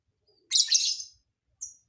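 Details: A lovebird gives a strange song fill: one loud, hissy, twittering burst of about half a second. After a brief pause comes a short, thin, high whistled note, with otherwise silent surroundings.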